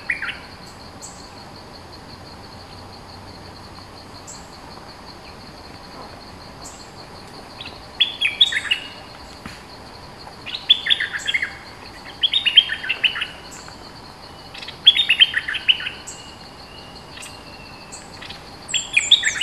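A bulbul sings short bubbly, chattering phrases every few seconds over a steady high insect drone.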